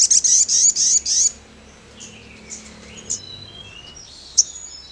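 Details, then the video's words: Song of the Sogon bird: a run of sharp, very high, evenly spaced chirps, then scattered faint whistles and thin, clicking notes. "SEMUA SOGON AKAN IKUT NYAUT GACOR DENGAR SUARA SOGON SEPERTI INI"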